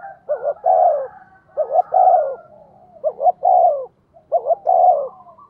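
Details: Cooing of a spotted dove used as a decoy to draw wild doves into calling back: low, hollow coo phrases, each a quick double note followed by a longer, fuller one, repeated about every second and a quarter.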